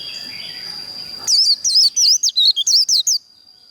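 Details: White-eye contest song in the 'líu' style for training competition birds: after a second of low background noise and a thin steady tone, a brisk run of high, wavering whistled notes lasting about two seconds.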